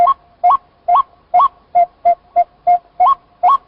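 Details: Calling white-breasted waterhen: clear, hollow notes roughly every third of a second, most ending in an abrupt upward step. A few notes stay flat and shorter. The background is quiet.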